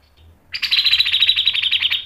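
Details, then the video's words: A grey-cheeked bulbul bursts into a sharp, buzzy trill after a brief quiet start, about fifteen rapid pulses that hold steady for one and a half seconds, as a lure for training birds. "MASTERAN CUCAK JENGGOT GACOR MBESET NGEPIK dan NEMBAK tajam | PANCINGAN CUCAK JENGGOT"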